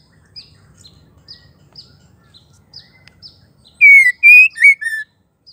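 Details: Female white-rumped shama, a call meant to spur males to sing: soft high chirps spaced about half a second apart over faint low background noise, then one loud four-note whistled phrase of slurred falling and rising notes.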